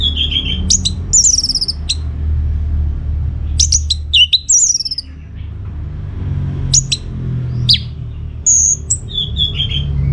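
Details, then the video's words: Lively orange-headed thrush song, used as a lure for other birds to reply. Quick high whistles, slurred notes and chattering trills come in short clusters against a constant low background hum. "Putar Kicauan ANIS MERAH Gacor Ini dijamin Pasti Ikut Nyaut"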